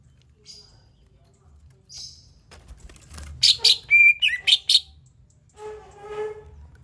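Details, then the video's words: Greater green leafbird song played as a lure to set other birds singing: faint high squeaks, then a rapid run of harsh rasping notes and one clear steady whistle, ending in lower rough chattering. "INI DIA PANCINGAN SUARA CUCAK IJO"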